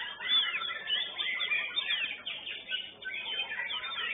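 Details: White-rumped shama singing in a songbird contest session: a dense, continuous stream of loud, varied whistles and rapid chirps with quick sweeping notes, high-pitched and busy throughout.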